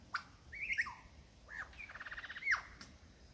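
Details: Courting male lyrebird met by chance in the Dandenongs, performing for a female: sliding whistles, a rising arched note, then a fast buzzing rattle ending in a sharp downslurred whistle.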